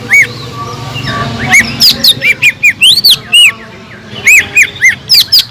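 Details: Caged Sumatran leafbird singing energetically, played to stir up other leafbirds: arched whistled notes in quick series, interspersed with shrill squeaks and varied chirps, brief quieter pause midway.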